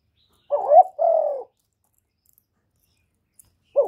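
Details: Decoy spotted dove crowing to excite other doves, recorded directly with no background noise: one two-part phrase, a quavering short coo followed by a steady falling hoot, then silence before the next phrase begins.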